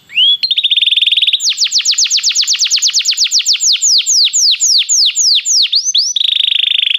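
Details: Singing Belgian canary, song played to warm up a canary: opens with a high buzzy trill, then a long run of quick falling whistled notes, ending in another dense trill.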